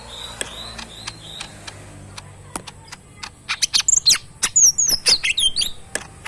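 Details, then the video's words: Pet bulbul, tame and kept in a cage, singing energetically: a few soft high notes and isolated clicks, then a lively run of loud, high, slurred whistles and sharp chips in quick succession. "burung cucak mini gacor full yang terbaik"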